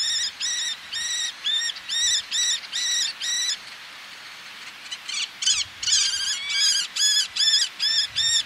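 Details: Eleonora's falcon calling close by, a male with females answering from ledges above the sea: runs of sharp, nasal, squawking notes about twice a second, a brief pause midway, then a faster overlapping burst from several birds, with low surf beneath.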